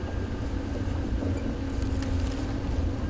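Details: Steady low rumble of an idling vehicle engine, with no animal calls.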